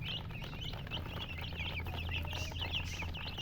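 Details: Baby chicks with a hen, giving a dense stream of high, short chirps overlapping throughout, with a steady low hum underneath.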